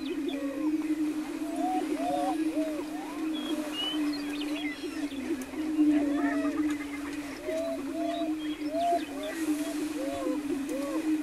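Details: Greater prairie-chickens booming on a lek near Wray, Colorado, on 17 April 2011: a steady low hollow moan with many rising whoops and cackles from the displaying birds.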